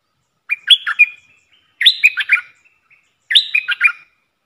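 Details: Red-whiskered bulbul kept in a cage as a decoy for luring wild birds, repeating a short bright warbling phrase three times about every one and a half seconds, clear with no background noise.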